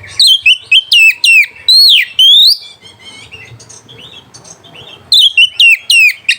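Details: White-rumped shama song used to provoke rival birds and arouse mating: loud bursts of sharp whistled notes sweeping down from high to mid pitch, several in quick succession, a quieter pause with faint softer notes, then another rapid burst.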